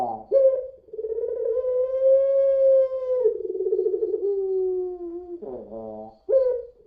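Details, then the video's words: Long-voiced puter pelung dove, played as a lure to provoke others: a sustained, level coo lasting several seconds, slightly wavering, sliding lower at the end, followed by a short harsh catch and another coo onset. "PUTER PELUNG NANGIS SAMPAI BATUK | PANCINGAN PUTER PELUNG"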